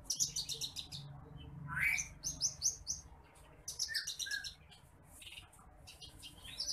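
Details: Bush lark (branjangan apung, titimplik) tutor song for training other birds: fast, high, stuttering trills in clusters, one lower upslurred whistle, then more rapid chattering phrases separated by short gaps, with faint low hum.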